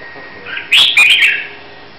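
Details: Red-whiskered bulbul from Hue, readied for a singing competition, giving one short bright phrase of two or three quick slurred chirps after a soft lead-in note.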